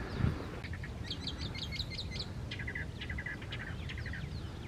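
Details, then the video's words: Chilean Mockingbird singing in the Panul forest at the foot of Santiago, Chile, in July (winter): a quick run of repeated bright chirping notes, then lower, varied phrases over a steady low rumble of background noise. "Le chant du moqueur polyglotte du Chili (Mimus thenca)."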